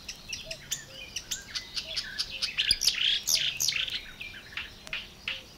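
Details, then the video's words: Marsh warbler song from Matsalu's water-meadows and coastal pastures, recorded for a 1979 field-recording LP: a fast, varied jumble of high chirps, buzzy scratches and slurred notes building into a dense outpouring, faint low piping behind. "Marsh Warler"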